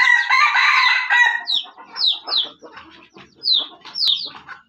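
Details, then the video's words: Junglefowl from Aceh kept as a decoy bird, giving a loud harsh rasping burst of about a second, followed by a series of short high descending chirps spaced irregularly. "Ayam Hutan Aceh"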